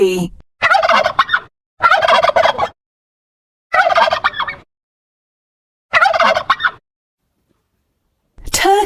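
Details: Turkey (Meleagris gallopavo), gobble.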